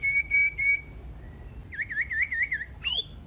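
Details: Common iora singing to provoke other ioras: a sustained level whistle, then a rapid series of looping whistled notes and a final sharply rising note.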